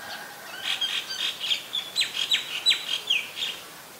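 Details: Streak-eared bulbul, a very common resident at Ubon Ratchathani, Thailand, on 29 February 2020: a quick run of about a dozen short, bright, chirpy notes over three seconds against a quiet background hiss.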